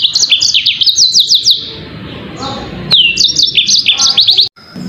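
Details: Yellow-fronted canary singing quick repeated high notes in two bursts with a quiet gap between them. Each burst opens with a downslurred whistle.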